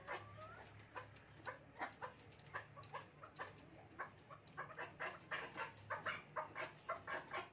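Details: Male and female chukar pair playing, giving a run of harsh, clucking chuck notes, about two a second and quickening toward the end, over a low steady hum.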